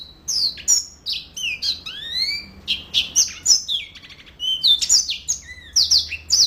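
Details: Continuous twittering from a yellow-fronted canary, mixing quick high chirps, longer rising and falling whistles, and a short dry rattle midway, delivered almost without a break over a faint low hum.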